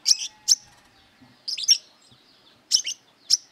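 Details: Brown-throated sunbird, described as singing actively and seeking a rival to fight, giving high, sharp chirping bursts in short paired phrases, about every second or so, with quiet gaps between.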